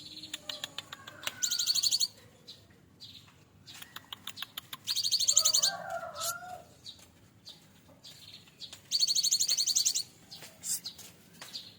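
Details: Cinereous tit kept in a cage, raised by hand-feeding from a young chick and now nearly adult, delivering full fill-in song. Three high, fast-pulsed trill bursts are spaced a few seconds apart, with softer chirps, lower warbling notes and rustling in between.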